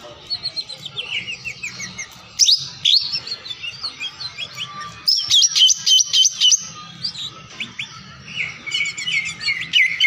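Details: Greater green leafbird, a champion songbird, in a full-isian masteran recording: a dense, fast run of high chirps, trills and whistled slurs in overlapping bursts, over a steady low hum and faint background noise.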